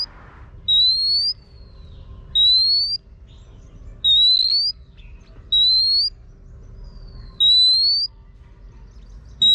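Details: Female Oriental magpie-robin calling to rouse a male with a steady series of about six long, pure whistles, each sliding slowly upward, spaced nearly two seconds apart over quiet background.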